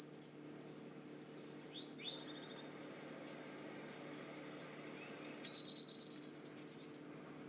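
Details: Prairie Warbler singing in a shrubby powerline corridor at Manchester Cedar Swamp Preserve, New Hampshire, spring (arrived early May); a short high note then about ten buzzy notes climbing steadily in pitch, faint background hum.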